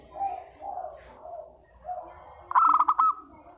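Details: Spotted dove lure coo: a series of soft, low, mellow coos repeated about every half second, ending in a loud, harsh, buzzy burst with a ringing tone.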